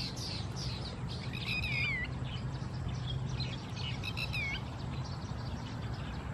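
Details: Red-wattled Lapwing (atronuchalis) at Khao Yoi, Phetchaburi, Thailand, 28 August 2020: two bursts of loud, down-slurred, ringing notes with rich overtones, separated by a pause, while faint chirps and constant low noise continue behind.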